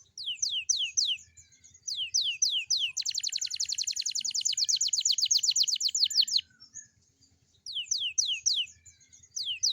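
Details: Canary song in the morning, used to prompt young canaries to start singing: groups of fast descending whistled sweeps, then a long rapid trill of about thirty even notes, then more sweeping phrases, with a faint low ticking underneath.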